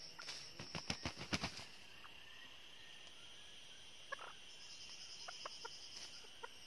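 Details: Red junglefowl (Gallus gallus) hen from northern Vietnam used as a decoy to lure wild males: a quick run of about eight harsh, clucking notes, then quiet beside a steady high insect hum and a few faint clicks.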